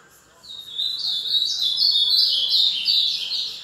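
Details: Fast song of an ultramarine grosbeak of the mineiro type: a hurried, bright warbling phrase of rapid slurred whistles that starts after half a second and carries on to the end, over faint background hiss.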